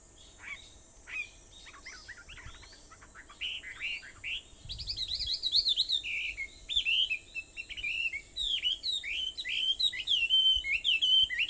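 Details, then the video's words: Dawn chorus at 4:30 am on Aobayama, Sendai, July 21, 2014: sparse chirps at first, building into dense, rapid twittering and slurred whistles with several birds overlapping, above a constant thin high drone. "Sound of Birds on Aobayama, Sendai, 2014.7.21 (4:30)"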